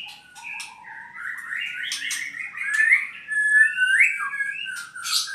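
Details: Albino white-rumped shama from Purwokerto singing a continuous varied song: low whistled notes near the start, then a long run of warbled, trilled phrases with buzzy bursts and sharp high squeaks, and clear whistles toward the end.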